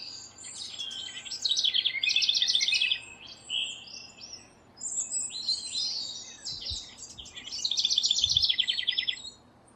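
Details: A house wren singing while building its nest gives two bubbly, high-pitched bursts of chatter ending in fast buzzy trills, with scattered sharp notes between them and light background noise.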